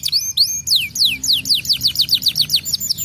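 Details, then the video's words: Domestic canary singing loudly, used as a lure song to stimulate other canaries: rapid series of clear, downward-sweeping whistled notes, repeated several times per second with slight variations, forming a bright, continuous trilling phrase. "PANCINGAN BURUNG KENARI GACOR"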